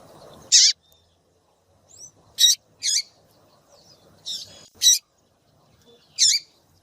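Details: Caged female rusty-collared seedeater calling to stir up a male: sharp, high, buzzy chip notes at uneven intervals, often in pairs, with faint thin whistles and a soft low rumble at the start.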